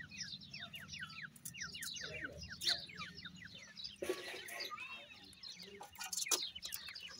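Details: Grey francolin chicks fighting; rapid, high, thin peeps sliding downward, crowded into overlapping bursts throughout, with a low steady hum underneath and a brief louder broadband rustle midway.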